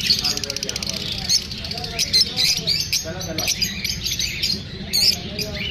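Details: Lovebirds, a kind of parrot, chirping after feeling unsafe while being filmed: dense, rapid, high-pitched chirps and squeaky tweets overlapping almost continuously, with short louder bursts and a low, voice-like murmur underneath.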